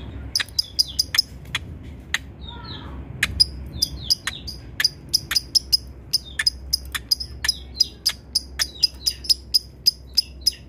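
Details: Lovebird used as a master tutor bird, giving a long run of crisp high ticks like typing. The ticks repeat steadily, broken by a few short whistled slurs and a low background hum.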